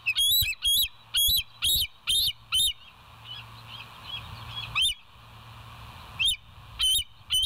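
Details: Bald eagle recorded by a live camera at the West End nest on the morning of 7 July 2023: a burst of shrill piping notes, a pause with softer fainter notes, then a few more high squeals.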